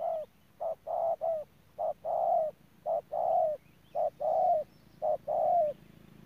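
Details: Ground decoy spotted dove from Đức Cơ giving repeated two-part coos, each a short clipped note then a drawn-out mellow coo falling slightly at the end, about six pairs in quick succession.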